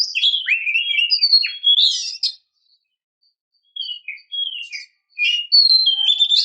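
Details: Female Oriental magpie-robin luring males to sing: a quick jumble of whistled slurs and buzzy notes, a silent gap, then shorter whistled phrases rising into clear, sustained notes.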